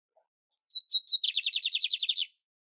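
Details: Lined seedeater singing in nature: a short series of high, clear whistles descending slightly, followed by a quick, regular buzzy trill lasting about a second.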